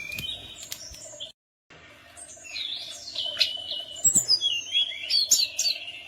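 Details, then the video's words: Tledekan gunung singing as a lure to draw replies from other birds: high sliding whistles and rapid twittered notes building toward the end, over a constant low electrical hum. "Langsung Nyaut,pancingan Burung Tledekan Gunung"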